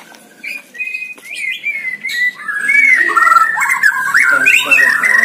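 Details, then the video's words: Singing white-rumped shama, caged on a hanging stand and recorded to train other birds: a few thin whistles that build into a continuous, loud warbling stream of quick varied whistled phrases. "GANTANGAN MURAI BATU || GACOR DORRRR"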